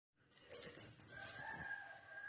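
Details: Captive blue-crowned hanging parrot calling to provoke another bird into singing: a shrill, very high buzzy trill of rapid pulses lasting over a second, with a steady lower whistled tone running underneath toward the end.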